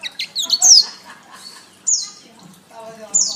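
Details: Canary master song for bird training, a loud descending whistle followed by short separate sharp notes and a clear rising-then-falling whistle after quiet gaps.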